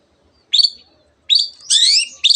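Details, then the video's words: Long-tailed shrike song with imitations of canary and many other birds: a few high, bright whistled and twittered phrases, the longest a sweeping trill near the end. "cendet gacor nembak nembak rapat isian kenari dan banyak jenis burung yang masuk masteran"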